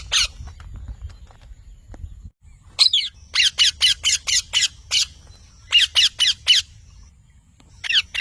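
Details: After a quiet start, a parrot breaks into loud, scratchy squawks, a run of about seven followed by four more, each short and rasping.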